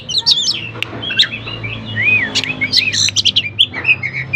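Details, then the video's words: Chatty oriental magpie-robin song used as a lure to make reluctant magpie-robins answer and sing. High clear whistles, chirps and short slurred notes play over soft background music. "kacer gacor paling di cari buat pancingan kacer lain"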